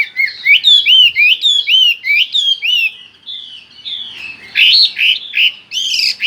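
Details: Hwamei (Chinese hwamei) singing nonstop, gacor ngerol style: loud, strongly repeated upswept and arched whistles, a brief softer stretch, then bright rising phrases again, with no other sounds.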